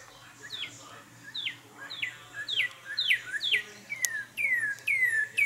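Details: Male Northern Cardinal sings clear, downslurred whistles, about two per second, ending in longer sweeping slurs, just outside a window at a feeding spot, calling his fledglings to come and eat; faint low hum.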